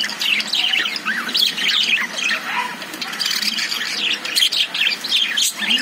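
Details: Several caged lovebirds twitter and squawk together, bursts of shrill upslurred chirps mixed with raspier notes, barely pausing.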